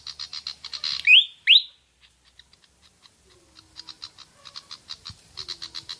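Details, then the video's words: Pied fantail, used as a lure to prompt birds to sing: a pair of loud, rising whistled upslurs set among dry, rapidly repeated high ticking notes that fade and then return. "Pancingan suara burung kipasan/srikatan jawa javanica)"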